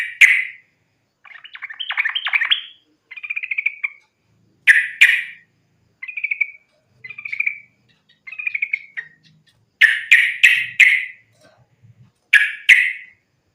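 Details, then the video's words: Sooty-headed bulbul in energetic fighting-style song meant to lure other bulbuls into singing: a long series of about a dozen liquid, warbling and chirping phrases, some sharp and harsh, separated by short gaps. "trucukan gacor tarung sambung ropel ini ampuh buat pancingan trucukan agar bunyi"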